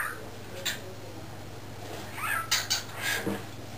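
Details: Young male cockatiel, under a year old and learning to talk, caged indoors while its owners work in the driveway; scattered harsh, chattering word-like bursts, one brief and then a longer run near the end, over a low steady hum.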